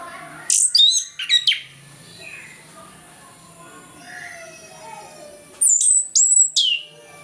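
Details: Morning ngeplong song of an orange-headed thrush, played to encourage reluctant birds to sing: two clusters of sharp, high, rapidly slurred whistles separated by a long quiet gap with faint background chatter.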